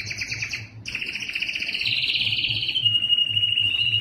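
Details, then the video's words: A yellow canary sings rapid buzzy trills that merge into a long sustained rolling trill, gradually falling and steadying in pitch, over a soft low hum. "Observing the Enchanting Song of the Canary Yellow" canary yellow singing part 5"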